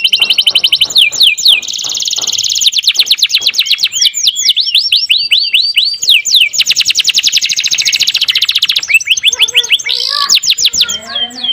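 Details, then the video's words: Tutor recording of a singing canary, played to spur hesitant canaries into song: long rolling trills of rapid, repeated high notes, with looping whistled slides and a chattering close. "MASTERAN KENARI MACET MALAS BUNYI | CANARY SINGING"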